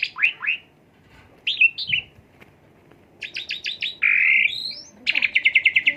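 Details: Asian pied starling song used as a lure to stimulate another bird: swooping chirps, a pause, then a quick run of clicking notes, a long harsh rasping note and a fast, evenly repeated chattering burst.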